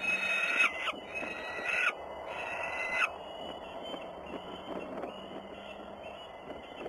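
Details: Peregrine falcons recorded in Włocławec, Poland, on the afternoon of 6 June 2010: three rasping, drawn-out calls in quick succession, then quiet background noise.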